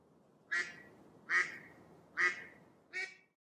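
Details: Mallard quacking four times in quick succession, loud nasal rasping notes under a second apart, the last one shorter, with no other sounds in a quiet setting.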